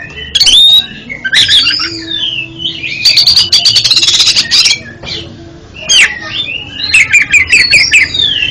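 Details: Oriental magpie-robin, known as kacer, sings to train a bird that stutters: loud whistled and scratchy phrases, a sustained stretch of fast buzzy repeated notes mid-song, and looping whistles near the end.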